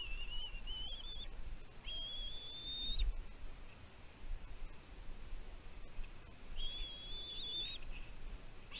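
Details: Wild bald eagle chick on a nest on Catalina Island, California, recorded by nest camera on 15 June 2023, reacting to food brought by its mother. Three long, thin, slightly rising whistled cries separated by pauses, with low rumbling background.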